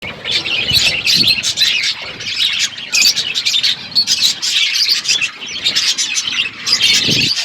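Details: Parrots feeding, recorded February 25, 2024: a dense, continuous chorus of high, bright chirps and short squeaky notes from several birds, steady through the whole stretch with brief louder bursts.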